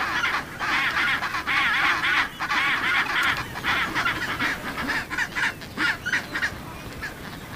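Chinstrap penguins fill the air with harsh, braying, honk-like calls that overlap in a steady, crowded chorus, with many birds sounding at once.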